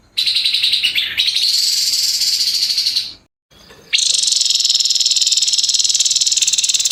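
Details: Grey-headed babbler giving harsh 'nembak kasar' song: long, loud, grating high rattles, each running about three seconds, separated by a short silence, the second rattle rapidly pulsed.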